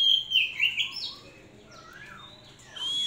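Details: Hand-raised Oriental magpie-robin singing a series of rich, varied whistled phrases, some swooping up and down, with a quiet gap midway before a bright, sustained high whistle at the end.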